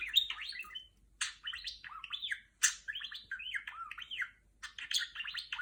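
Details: Pet female budgerigar chattering in imitation of the R2-D2 droid from Star Wars: bursts of swooping, whistled electronic-like chirps rising and falling, separated by brief silences.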